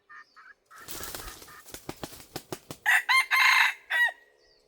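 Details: A decoy red junglefowl used to draw in wild birds gives a run of sharp clucking pulses, then a loud ringing crow of several strained, rasping segments ending in a short tail note.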